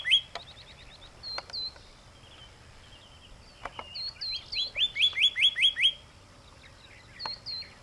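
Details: Pyrrhuloxia calling with scattered sharp chirps and clicks, then a fast run of about seven bright, evenly spaced chip notes mid-clip, ending with a few more isolated chirps.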